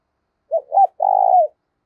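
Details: A single fight-provoking call of a spotted dove, used to get wild-caught and decoy birds cooing: two short rounded notes, a brief gap, then a sustained soft coo that tails off downward, with nothing else audible.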